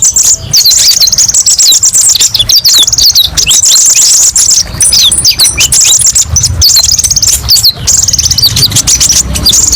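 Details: Kolibri ninja sunbird giving a busy high twittering song of rapid chirps and rattling trills, phrases running almost without break, offered as a tutor recording.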